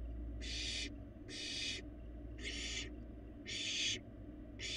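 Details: Barn owl fledgling eating alone in a nest box in Florida, live camera; five even, rasping hisses follow one another roughly once a second above a faint hum.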